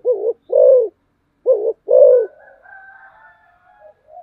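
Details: Spotted dove used as a decoy gives two low two-note coo phrases in succession, then a faint, quieter wavering trill.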